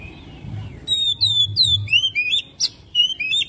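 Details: Oriental magpie-robin song intended to encourage another bird to sing, a rapid run of high whistled slurs and short trills with a sharp click, over a low hum.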